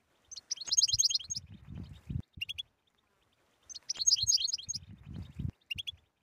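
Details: Batbata-style European goldfinch song, used to stir a silent goldfinch into singing. Two bursts of fast, high, liquid twittering come about three seconds apart, each followed by low rumbling knocks and a few sharp high notes.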